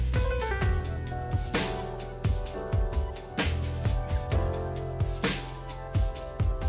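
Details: Drum-driven instrumental music with steady bass beats and sustained tones throughout, no animal voices.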